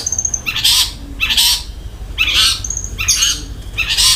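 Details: Long-tailed shrike singing with rough fill-in calls and rolled shots: broad harsh rasping bursts roughly every second, separated by thin, level high whistles.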